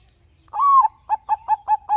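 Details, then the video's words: Bangkok-type zebra dove in full song, recorded as a lure: a long smooth coo leading into a run of five short, evenly spaced bubbling notes, clear over a quiet background. "perkutut bangkok gacor kutut bangkok gacor manggung suara merdu"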